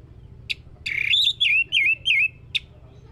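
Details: Lure recording of orange-headed thrush song meant to make a bird sing: sharp ticks framing a sequence of four warbled, wavering whistles at mid pitch, each rising then dipping.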